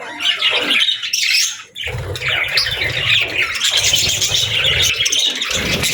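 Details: Budgie parents with their young chicks; scratchy squawking chatter, dipping briefly after the first two seconds, then a continuous stream of harsh high chirps over a low background rumble.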